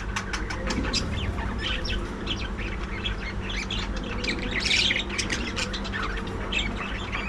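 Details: Colony of budgerigars bred in an aviary, loud crowded chatter of harsh squawks and twittering notes, one burst of raspy noise near the middle, steady hum underneath.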